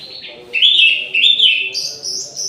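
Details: Aviary-kept orange-headed thrush singing energetically at midday. Two strong, rich warbled phrases run back to back, ending in a higher, thinner whistled strain, with a faint low background drone.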